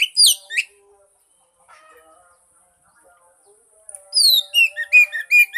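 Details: Oriental magpie-robin song as a lure for a non-singing kacer: a couple of high slurred notes, a long quiet gap, then a lively series of downswept whistles and chips.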